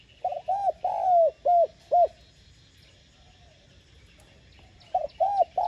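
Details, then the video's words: Spotted dove's mellow cooing phrase, played to rouse other doves to call: a stuttering lead-in, a long coo and two clipped coos, then a pause of about three seconds before the phrase starts again. "Tiếng Cu Gáy Giọng hay GỌI +THÚC Dục BỔI Kích Bổi Nhanh Nổi"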